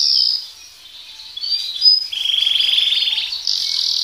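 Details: Canary singing, softer here: thin high notes and a faint warble, building into a rapid rolled trill and a sustained high buzz.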